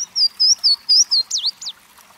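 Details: Louisiana waterthrush song: a run of clear, high whistled slurred notes, about five evenly spaced, ending in two quicker downslurred chips, against a soft background hiss.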